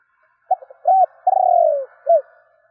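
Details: Calling spotted dove used in Vietnam to provoke other doves into responding: brief stutter notes, a steady coo, an extended buzzy descending coo and a short final note, with a faint echo behind.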